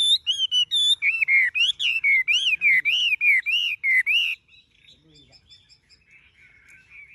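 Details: Chinese hwamei kept as a tame cage bird, yellow-legged and yellow-billed, repeating a loud rolling whistle about four times per second for several seconds, then falling to soft quiet twittering.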